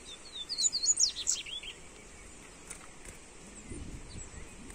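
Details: High, fast twittering phrase of a Double-collared Seedeater (coleiro), played for warming up a bird. It lasts about a second and a half, then gives way to steady background hiss with faint clicks.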